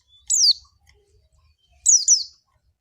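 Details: Two thin, high, downslurred call notes from an Oriental white-eye (pleci), the second doubled, spaced about one and a half seconds apart, with faint low background rumble.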